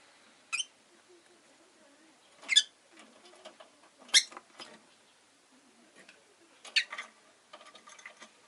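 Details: Rosy-faced lovebird, a pet bird, uttering a series of short, harsh, high chirps roughly every one to two seconds, mixed with light scratching and shuffling sounds.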